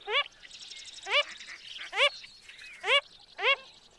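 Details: Wilson's phalarope, a shorebird that is a rare winter visitor to the Hawaiian Islands, gives five nasal, harmonic, upslurred calls spaced about half a second to a second apart. Faint higher chatter runs in the background.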